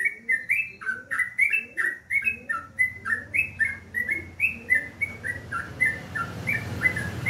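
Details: A sooty-headed bulbul (trucukan) sings at morning in rapid sequence, roughly three notes each second, each a short bright whistle bending up or down, with soft echoes below and a hissy background growing toward the end.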